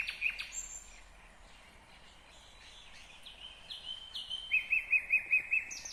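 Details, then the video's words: Song of a nightingale recorded in Kyrgyzstan, 2020. Thin, drawn-out whistles lead into a steady run of six loud, evenly spaced notes, with a high whistle at the close. "Незабываемое Пение соловья / Chill out Nightingale Singing / Булбул уну / Булбул овози"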